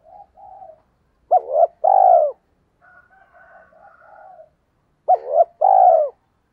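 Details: Spotted dove calling to entice wild doves, alternating soft murmured coos with two loud phrases, each a double short coo and a long falling coo.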